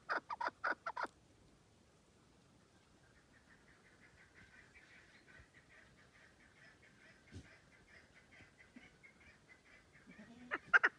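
A chukar partridge gives a quick run of five harsh, clucking notes, then soft distant chattering, and ends with another loud pair of clucks.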